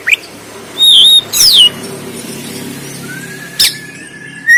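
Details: Oriental magpie-robin (kacer) fighting song, recorded on an Android phone in Banten. Loud, clear, sparse notes: a level high whistle, a steep downward-sweeping whistle, a sharp click, then a long faint rising tone over low background hum.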